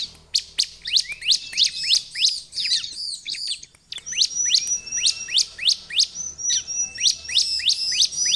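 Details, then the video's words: Lure recording of Bar-winged prinia in full song: quick runs of sharp, high, slurred chirps, a brief pause midway, then steady repeated notes joined by a thin level whistle, lively and persistent throughout. "KOMPILASI suara ciblek untuk pancingan ciblek dan suara pikat ciblek || ciblek gacor"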